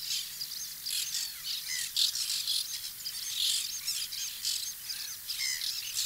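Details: White-winged terns calling at their nesting colony in 2021, a dense chatter of grating, high shrieks from several birds, louder notes standing out every second or so against continuous hiss.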